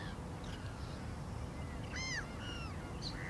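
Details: One arched, nasal yelp from a black-winged stilt stands out, with fainter calls from other birds before and after it, over a heavy low rumble.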